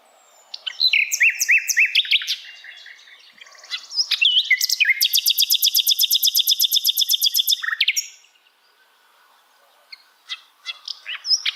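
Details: Asian brown flycatcher song used as a training recording for other songbirds to copy: thin whistled notes and downslurred chirps, then a long fast buzzy trill of evenly repeated notes lasting about three seconds, and a few sharp chips after a pause.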